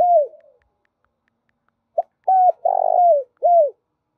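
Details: Spotted dove calling as a trapping lure to stir males and females: a falling hoot trailing off, a pause, then one phrase of a short pip, a steady coo, a grating buzzy note and a dropping soft coo; no other sounds.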